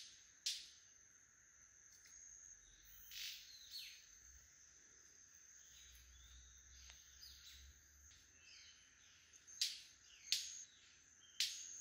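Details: Several male White-collared manakins in a lekking display at Rancho Naturalista Lodge, Costa Rica, make sharp, firecracker-like wing snaps. There are about six over twelve seconds and a quick pair near the end, over a steady high insect hum and soft bird chirps.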